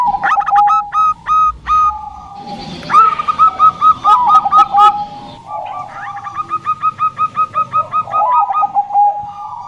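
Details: Bangkok-type zebra dove in full song, giving rapid runs of clear, evenly repeated cooing notes that rise slightly, overlapping with lower hooked coos, and a brief burst of broadband noise midway.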